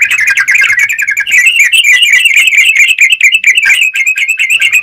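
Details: Yellow-vented bulbul in full song: a continuous, fast chatter of short, bright notes running without a break through the whole stretch.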